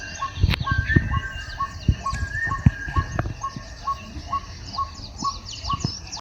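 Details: Baya weaver after the first rains gives short repeated chirps with thin, wheezy notes, over low rumbling noise.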